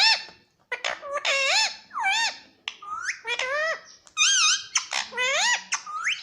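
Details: Indian ringneck parakeet kept as a pet, calling indoors: a run of shrill, tonal squeaks that swoop up and down in pitch, some wavering, in short bursts with brief gaps.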